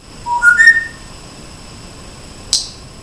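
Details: An African grey parrot kept as a pet whistles a quick rising run of three clear notes stepping upward, then silence and a single sharp click.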